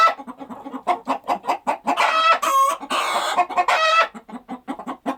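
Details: Rhythmic clucking of farm chickens: rapid, evenly spaced short clucks, broken midway by a loud, drawn-out harmonic squawk and a burst of cackling.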